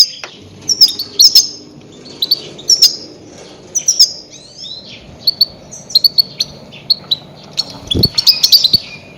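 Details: Goldfinch calls meant to lure grey-headed goldfinches for trapping. Sweet, high, twittering notes are repeated in uneven clusters throughout, ending in a denser excited flurry, with one low thump.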